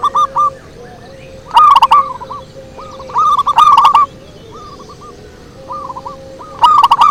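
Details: Zebra dove cooing used as a lure: repeated short rolling phrases of soft rising coos, several birds overlapping at times, with a faint continuous hum underneath.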